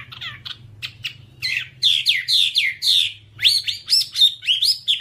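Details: Whambie song: a sequence of sharp ticking chirps gives way to louder, falling whistled notes and then rising, drawn-out whistles, over a faint low hum.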